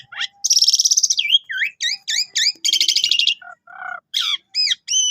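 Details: Lively Javan pied starling with a full song repertoire, used as a canary tutor; rapid rattling trills, repeated swooping whistled notes and short lower chirps follow in quick succession.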